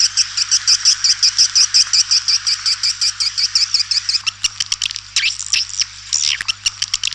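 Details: Calling sound of white-nest swiftlets, used as a lure to draw swiftlets in: a fast, even series of high buzzy chirps about three per second, breaking into sweeping twitters and clicks near the end, over a constant low hum.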